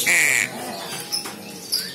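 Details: Young crow giving a single loud, harsh, nasal squawk lasting about half a second, followed by quieter background sounds.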